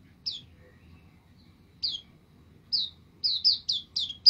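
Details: White-eye, kept for songbird training, giving sparse high, thin, downslurred chirps, spaced irregularly at first and then coming in a quicker cluster near the end, over a faint low rumble.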